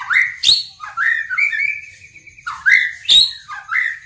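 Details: White-rumped shama composing its song, a run of rich whistled and rising phrases mixed with sharp clicks, with a long steady whistle held in the middle.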